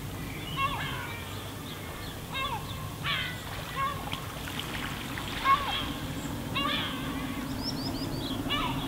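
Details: Gulls calling over a pebble beach at Spiaggia Paolina on Elba, Italy: scattered wailing, downward-arching cries with rich overtones, spaced irregularly above a steady wash of sea waves.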